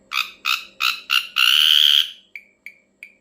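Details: Ashy drongo calling strangely: four loud harsh rasping notes in quick succession, a drawn-out buzzy note, then three short clipped chips.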